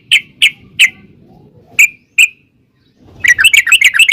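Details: A sooty-headed bulbul in a lure recording aimed at provoking other birds to answer. A few isolated sharp chirps with gaps between them, then a fast, bubbly run of notes.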